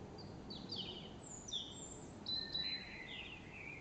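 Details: Morning birdsong in Tooting Bec during the Queen's Diamond Jubilee: high thin chirps and sweeping whistled notes from several birds, some phrases overlapping, over a steady background hum.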